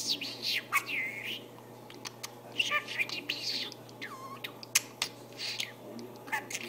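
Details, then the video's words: Budgerigar talking: rapid throaty warbling mixed with sharp clicks and a few swooping whistled notes, constant indoor hum beneath. "Perruche Ondulée qui parle"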